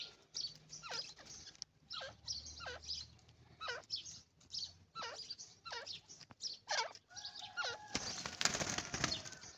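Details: Teetar (irani and dakhni teetar) calling with a series of sharp, repeated notes that dip and rise, spaced under a second apart, over a hissing background, ending in a loud noisy crackle.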